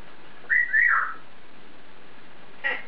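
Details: Caged pet African grey parrot talking to itself, giving a clear whistled phrase that rises, dips and slides down, followed by a brief soft note; quiet indoor room.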